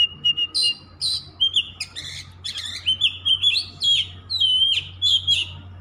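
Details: Oriental magpie-robin in continuous song, bright whistled notes, rising and falling slurs and scratchy chips strung together rapidly, with a low constant hum underneath.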